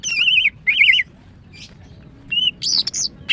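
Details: A female greater green leafbird's morning song opens with two loud, wavering, quavering whistles. After a pause come a short clear note and bright, rapid chirps.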